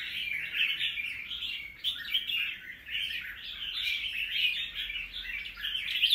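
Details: Red-whiskered bulbul, a wild-caught bird in its second season with newly molted plumage, singing a long unbroken stream of scratchy, twittering phrases that rise and fall slightly. A few louder bursts appear.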